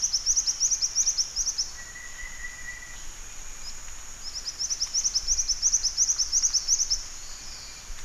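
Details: Black-winged flycatcher-shrike, locally called jingjing batu: quick bursts of thin, high chirps in rapid runs lasting one to two seconds, twice in the clip, over a steady high insect-like hiss and a short level tone.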